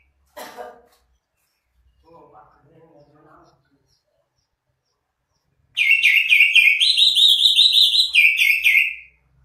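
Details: Cucak ijo, the greater green leafbird, preceded by faint brief chatter, then a loud sustained warbling run of rapid slurred whistled notes lasting about three seconds.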